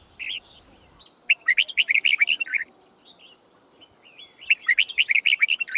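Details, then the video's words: Red-whiskered bulbul singing two bubbly, quick-fire phrases of bright chirping notes, each about a second long, with a lone chirp at the start. "Chào Mào Hót / Chào Mào Hót Đấu"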